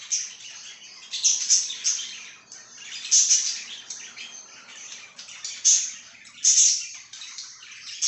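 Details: Pet budgerigar chirping: a steady, scratchy, high warble runs throughout, broken by sharp, loud chirps near 1.3, 3.2, 5.7 and 6.5 seconds, some doubled.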